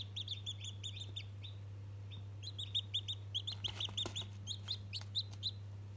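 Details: One-day-old chicken chick, talking to a toy, giving high, thin peeps in quick clusters of rising, chirping notes, over a steady low electrical hum.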